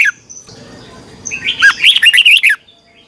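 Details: Red-whiskered bulbul competition song used to train birds: a short opening note, a quiet stretch, then a rapid flurry of bright whistled notes rising and falling about six times a second.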